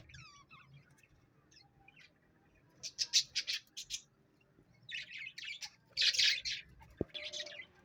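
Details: A pet parrot gives a few soft rising whistled notes, then bursts of loud grating squawks in short pulsed runs. Quiet pauses separate the runs, and a single sharp knock sounds near the end.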